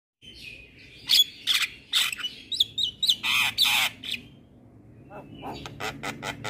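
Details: Javan myna (jalak kebo) in lively 'gacor' song used as a tutor recording: harsh squawks and buzzy bursts mixed with short whistled notes near the middle, then rapid clicky ticks at the end. Faint low hum underneath.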